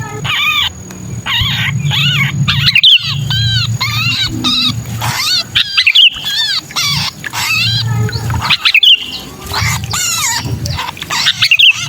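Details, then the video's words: Sooty-headed bulbul distress call, the trapped-bird sound used to lure bulbuls that are hard to bring down: dense runs of harsh, arching, harmonic squawks, several overlapping, with brief loud clicks and a steady low hum underneath. "Suara pikat burung kutilang kejepit"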